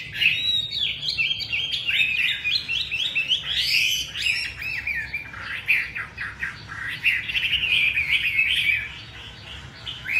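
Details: A Chinese hwamei sings a long, varied, loud run of fast chattering notes, rising whistles and slurred phrases, several notes per second with hardly a break.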